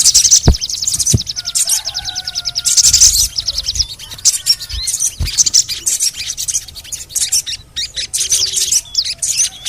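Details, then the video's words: Little spiderhunter (sogon) in a recording meant to get birds singing: fast, even, high trills and clustered chirps, with soft whistled slurs and a few low thumps. "TERAPI SOGON MALAS BUNYI"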